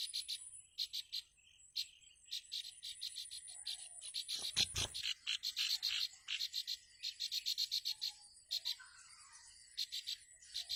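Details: Wild bar-winged prinia (ciblek) mother at her nest, calling for her chick: high, buzzy chirps in quick clusters of two to four, repeated through the clip, with a brief low thump partway.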